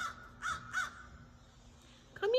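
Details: A crow in a yard gives three harsh, broad caws in quick succession within the first second, then quiet, ending with a short rising human voice.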